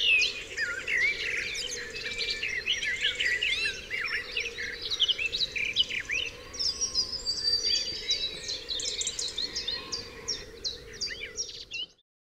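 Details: Dense dawn chorus on Dewlands Common: numerous birds pour out twittering, warbling and whistled phrases continuously, a thin sustained whistle weaving through, ending abruptly in silence.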